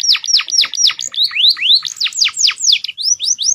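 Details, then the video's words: Canary in a training mix with prinia and crystal Javan sunbird-tit fills, giving a quick series of sharp downward-sweeping whistles and rising upslurred notes, rapid and varied. "AUDIO MASTER KOMBINASI BURUNG KENARI FULL ISIAN PERENJAK & CIBLEK KRISTAL CENGKOK MEWAH"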